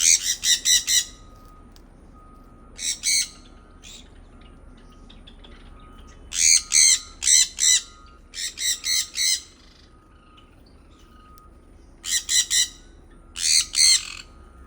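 A sun conure gives loud, harsh screeches in quick bursts of three to five.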